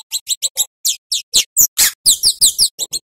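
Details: Scarlet-headed flowerpecker, called Cabai Jawa or Kemade in Java, singing vigorously. A tutor track for training other songbirds. Quick, piercing, high chips and downward-sliding squeaky notes come in an irregular, rapid string with no background noise.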